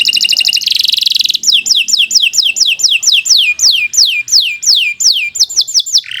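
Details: Atlantic canary in persistent song, used as a master for training other canaries: a short buzzy rattle, then a steady run of loud, sharply descending whistled notes at about one and a half per second.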